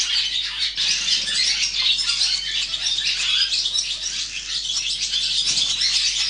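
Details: Barn swallow nestlings during chick-rearing, producing an unbroken wall of loud, high-pitched, scratchy chirping from several young at once.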